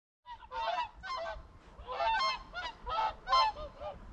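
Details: Swans flying over the reeds of a lake on Rügen on a grey, cloudy day, calling as they pass without landing: a loose series of nasal, trumpeting honks, roughly one or two per second, some doubled.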